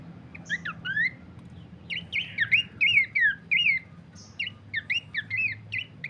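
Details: Horsfield's Babbler, used to lure and train birds: phrases of curved, rising and falling whistles about two or three a second, grouped in bursts with short pauses between, steady low hum in the background.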